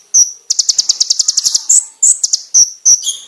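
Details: Loud, clear konin (brown-throated sunbird) phrase: one sharp high note, then a quick run of about a dozen staccato pulses, followed by several emphatic piercing chips spaced apart.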